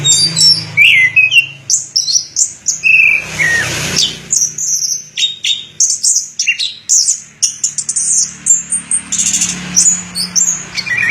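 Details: Long-duration song of an Orange-headed thrush: quick high whistles and twittering phrases, a few dipping lower, run together almost continuously, with a brief rushing noise partway through.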